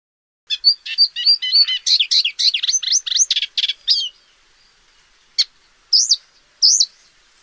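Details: Paddyfield warbler singing a rapid, scratchy chatter of varied high notes for about three and a half seconds, then a pause and a few isolated sharp chirps and twisting whistled notes; no other sounds.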